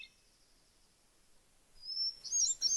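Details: A Hermit Thrush in the Maine woods at Cherryfield sings a long, pure, high whistled note, then breaks into a quick, shimmering, flute-like flourish, with faint high notes before it in an otherwise quiet background.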